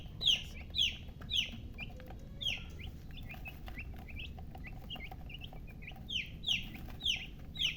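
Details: Baby chickens chirping, a run of shrill downward-sliding peeps at an uneven pace, a quieter stretch in the middle, then a fresh burst of loud peeps, with faint peeps and low hum beneath.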